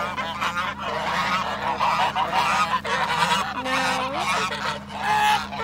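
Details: Swan goose during an attack, giving harsh nasal honks with a few drawn-out rising and falling notes amid loud broadband rustling and scuffling noise and a steady low hum.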